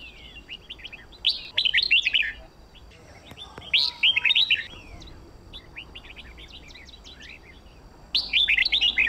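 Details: Red-whiskered bulbul singing, used as a model for training birds for song contests: bursts of rapid, chattering whistled notes about a second long, separated by pauses of two seconds or more, over a faint steady background hiss.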